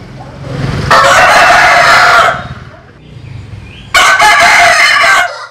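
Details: Two long harsh crows, each over a second, separated by a pause with low rumbling noise; roosters are Vietnamese and American Sil cocks from a compilation of crowing.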